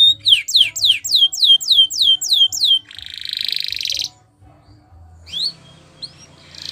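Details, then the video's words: Canary singing a training song: a steady series of loud down-slurred whistles, a fine buzzy roll, a moment of quiet, then a few scattered upslurred notes. "Best Canary Bird Sounds!! Suitable for your canary training"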